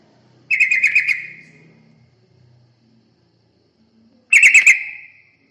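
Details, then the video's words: Yellow-vented bulbul used to lure other birds: two bubbly rattling bursts about four seconds apart, each trailing off into a fading tone, with faint low sounds in the background. "Pancingan burung terucukan"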